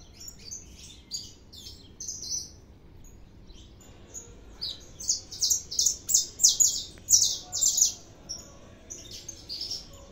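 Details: Singing saffron finch, very active: soft scattered high chirps at first, then a burst of loud, sharp, rapidly repeated metallic notes about once a second or faster, tailing off into quieter chirps.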